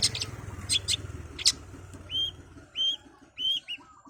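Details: Long-tailed shrike (cendet) singing at high speed, used as tutoring material for songbirds: a few sharp high chirps, then clear whistled notes repeated about every 0.7 seconds, with low hum underneath.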